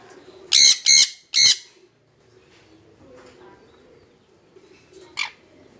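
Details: A pair of jenday conures together: three loud harsh screeching squawks in quick succession, then quieter chatter and a final shorter screech, low room murmur behind.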